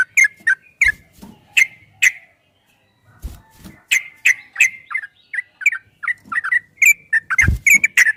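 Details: Yellow-vented bulbul singing a long, rapid ropel-style song in a training recording for caged birds. Short chirpy, slurred notes come in quick, irregular bursts around three per second, with a brief pause midway and occasional low thumps.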